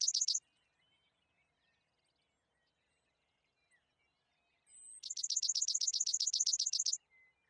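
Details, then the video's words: Worthen's sparrow delivers a rapid, dry trill of buzzy repeated notes, opened by a thin high whistle. The tail of an earlier phrase is heard at the start. Faint high chips are in between. "Worthen's Sparrow"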